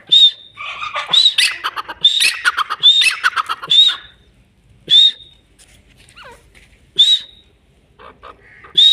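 Grey francolin giving loud, shrill, high-pitched notes in quick bursts, repeated roughly every second, then spaced out with brief pauses.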